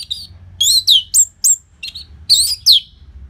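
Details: Orange-headed thrush in full loud song, used as a training recording to get caged birds singing. High, slurred whistled notes bend downward in quick succession, with brief gaps between clusters.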